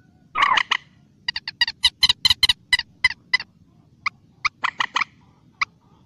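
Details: Wild common moorhen, locally mandar batu, opening with a rough harsh burst, then a brisk string of about a dozen sharp clucks slowing to sparse single notes toward the end.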